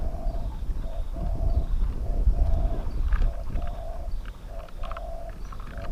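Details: Spotted dove at a decoy-luring trap cage session, calling to wild birds: steady short coos in a run, partly masked by heavy low rumbling and scattered knocks.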